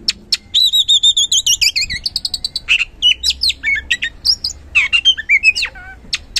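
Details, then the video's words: Oriental magpie-robin (kacer), a caged bird used as a lure to provoke lazy birds into singing; loud varied song of clear whistled notes, a series of warbling descending phrases followed by rapid repeated chips and sweeping slurred whistles. "Super Ampuh Pancingan Kacer Gacor Ngeplong | Cocok Buat Memancing Kacer Yang Malas Bunyi Auto Respon"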